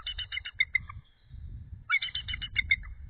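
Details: Nesting female eagle, off the egg at night in February 2013 to cool it, gives high chittering trills of rapid, evenly spaced squeaky notes in two runs separated by a pause, with steady low hum underneath.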